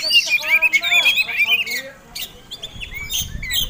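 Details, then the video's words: Oriental magpie-robin, a caged fighting-type bird singing a fighting song meant to provoke other birds: rapid run of whistled, slurred notes around high pitch with squeaky phrases, fading to quieter chirps and faint background noise. "Kacer Tarung Ngobra Ngotot Gayanya Eksotik Bikin Ngiler || Pancingan Mewah!!!"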